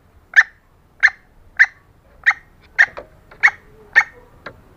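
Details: Female green junglefowl giving calls to attract males: sharp, clipped notes repeated roughly every 0.6 seconds, seven strong ones, with faint softer notes trailing after, in otherwise quiet surroundings.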